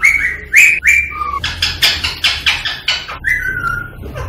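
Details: Rose-ringed parakeet whistling and calling to encourage singing and mating: flat and falling whistles, then a rapid series of harsh rasping squawks, ending with a long falling whistle.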